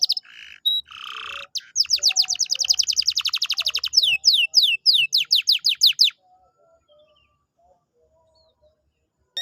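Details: Lively canary song offered to get a quiet canary singing: short whistles and buzzy notes, a long fast trill, then descending sweeping notes, followed by near silence.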